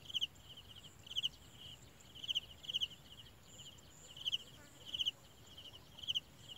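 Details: A tiny olive-backed sunbird chick is fed by its parents; sharp paired squeaks come at uneven intervals of roughly one second against a constant high-pitched buzz.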